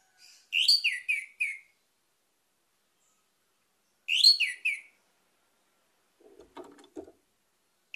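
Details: Orange-headed thrush lure song for prompting other birds to sing: two near-identical phrases of quick, descending whistles about three and a half seconds apart, followed by soft rattling knocks.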